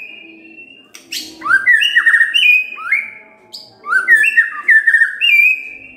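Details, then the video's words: Morning white-rumped shama song to prompt a quiet bird: fluting whistled phrases stepping down in pitch, repeated in two groups, with faint low background hum. "Pancingan PAGI-PAGI AGAR MURAI GACOR❗ murai diam pasti ikut NYAUT❗❗"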